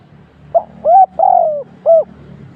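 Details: Decoy spotted dove during trapping, delivering one cooing phrase: a brief opening note, then two mellow coos, the longer one sliding gently downward, closed by a short final coo. Low rumble underneath.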